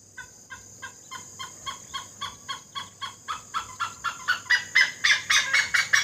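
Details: Great hornbill in Assam, locally called dhanesh sorai: a long run of about twenty rough, nasal barks, four per second, steadily growing louder and harsher toward the end, over faint hiss.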